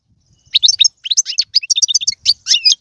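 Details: European goldfinch singing, used to stimulate a kept goldfinch into song: a quick burst of tinkling, high twittered notes, varied and jerky, with brief gaps between phrases.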